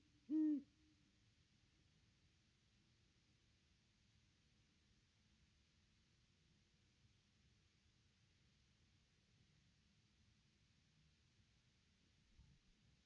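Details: Great Horned Owl at its nest tree, recorded by a nest camera on Christmas Day, 25 December 2021, during a visit by a pair: a single short, deep hoot near the start, then steady low hum and quiet.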